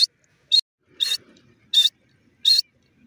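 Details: Francolin, known locally as teetar, giving sharp high-pitched call notes, five short bursts spaced about half a second apart against a quiet background.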